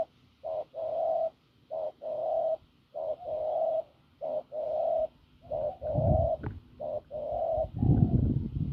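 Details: Wild field spotted dove, hoarse and strong-voiced, cooing: repeated low husky short-long coo pairs at a steady pace, with rustling and handling noise breaking in toward the end.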